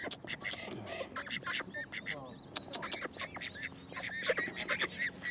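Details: A group of domestic call ducks kept by their owners, calling in loud, harsh overlapping quacks and honking squawks that come thick and uneven throughout, with a low background hum and possible human voices.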